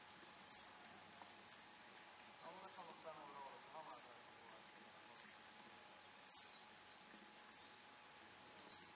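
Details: Young flycatchers in a steady series of brief, shrill, high-pitched calls spaced roughly one second apart, with a soft lower rustle in between.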